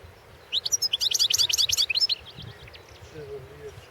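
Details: Singing European goldfinch at the 2016 World Championship in Goldfinch Song: a bright, fast, pulsing trill of high repeated notes for about a second and a half, followed by quieter scattered twitters and a faint low murmur.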